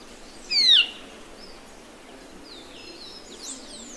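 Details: A Band-tailed manakin in Brazil gives a single sharp, downslurred call, high and slightly nasal, lasting under half a second, followed by faint thin notes from other birds in the distance.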